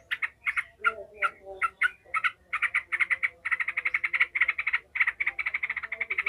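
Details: Furious yellow-vented bulbul in ngekek style, used to build fighting spirit in other bulbuls: starts with spaced harsh chips, then speeds into a dense, continuous rattling chatter lasting several seconds.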